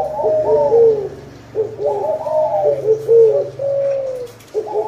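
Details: Cooing spotted dove associated with abundant crops: groups of mellow, hollow low notes in overlapping phrases, separated by short gaps around one and a half and four and a half seconds.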